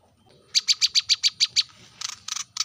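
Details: A brown-throated sunbird calls to provoke rivals with eight crisp, high chips in a steady quick series, followed by a few harsher, noisier notes. Soft low background rumble.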